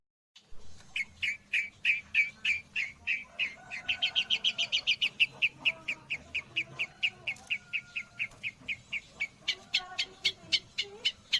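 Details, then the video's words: Long-tailed shrike imitating white-rumped shama song: a long, even train of crisp, clipped chirps, three or four a second, quickening briefly into a higher, tighter burst before returning to the steady beat. "Burung cendet isian murai batu"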